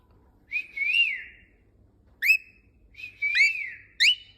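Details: Pet cockatiel being taught to whistle by its owner: long wavering whistled notes that rise and fall, alternating with short sharp upslurred chirps, in a quiet room with a faint low hum.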